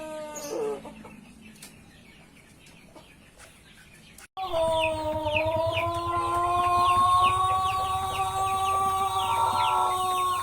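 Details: White Pelung rooster crowing. After about four seconds of quiet, faint background, one long, sustained, harmonic crow starts abruptly and holds a steady, slightly wavering pitch to the end. Small birds chirp with quick, descending notes above it.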